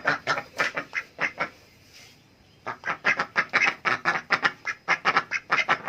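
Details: Adult ducks asking for food, giving loud rasping quacks in quick runs, a brief pause near two seconds, then a steady burst of rapid repeated quacks to the end.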